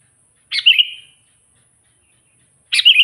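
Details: Sooty-headed bulbul in natural call to rile wild rivals: two sharp, bubbly chirped phrases sliding into short whistles, about two seconds apart, with a thin steady high tone underneath.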